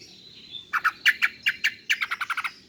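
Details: Greater green leafbird female, her call used to draw in males: a rapid chattering series of about fifteen short clipped notes that speed up toward the end, over a faint thin whistle.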